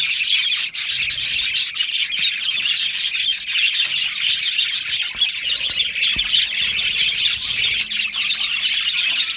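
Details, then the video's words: Australian budgies in an aviary colony keep up a dense, continuous chatter of high chirps and squeaks, with scratchy rubbing noises mixed through the flock's racket. "Australian Budgie parrot sounds | Budgie parrot chirping sounds"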